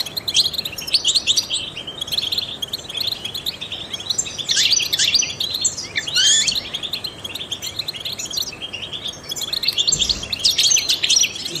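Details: European goldfinch, trained and distinguished singer, heard in a long twittering song used to stimulate songbirds; clustered bright chirps and buzzy downslurred notes in bursts, with a faint low thump near the end.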